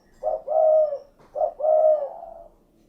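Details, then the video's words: Spotted dove giving two clear, deep coo phrases, each a short note then a long rolling, slightly falling coo. "SUARA BURUNG DERKUKU / CUKURUKUK KUK GERUK"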